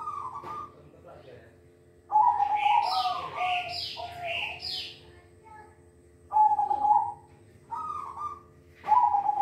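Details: Silver-coloured zebra dove sings lively, sweet cooing phrases of rolling, stepped low notes. Brighter, higher chirping phrases from another bird break in during the middle.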